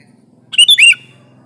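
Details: Sooty-headed bulbul lure song meant to provoke rivals for trapping. A single quick phrase: a short lead note, then a bright rising and falling warbled chirp, with a low hum underneath.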